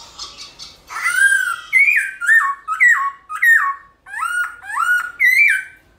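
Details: Black-throated laughingthrush singing a morning fighting song while dancing: faint soft notes, then a loud swooping whistle and a series of about eight stepped, downslurred whistled phrases with strong overtones, nearly two per second.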